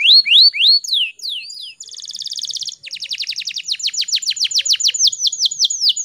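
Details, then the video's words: Female canary in breeding condition, kept as a cage bird in Indonesia, singing to stir other canaries, especially males, into song: rising whistled notes, then a fast buzzy trill, then a rapid run of sharply falling notes repeated several times per second. "PANCINGAN KENARI BAHAN AGAR CEPAT GACORR"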